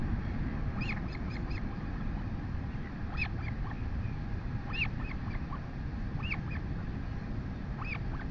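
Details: Royal albatross chick in New Zealand being fed by its mother at 11:24 am on 23 August 2020, with a huge crop. Short squeaky, rising-falling harmonic calls come in bursts about every one and a half seconds over steady, heavy wind rumble.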